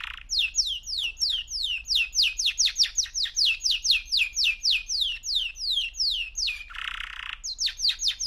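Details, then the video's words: Male canary, three months old, delivering a long series of loud downward-sweeping whistled notes at a steady fast pace, broken once by a short buzzy rattle. "Kanarya Sesi 3 Aylık Erkek Canary"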